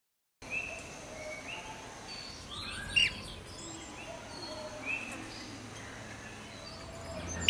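Rainbow bee-eater giving short, soft rolling 'prrp' notes every second or two, with a few higher chirps over a faint background hiss.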